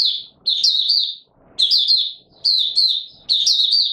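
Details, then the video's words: White-eye buka sing recorded 20 March 2022 in warm humid weather: four bursts of thin, high, tumbling chirps, each phrase under a second, with faint soft sounds in the gaps. "Mata Puteh Raja Video 1 buka sing"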